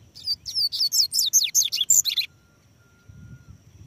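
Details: Double-collared seedeater singing while perched on a person's hand: a rapid series of about a dozen high, sweet slurred whistles, each swooping down then up, over two seconds, followed by near silence and faint low handling noise.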